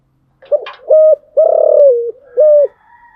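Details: Spotted dove cooing in the morning, a kept cage bird: loud, hollow, mellow coos in a short series of four, each held flat, the longest gliding slightly down at its end.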